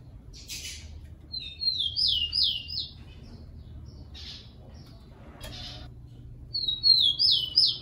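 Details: A rufous-collared sparrow (Zonotrichia capensis) sings two short phrases of high, sweet whistled notes sliding down into a quick trill, about five seconds apart, with brief rustling between.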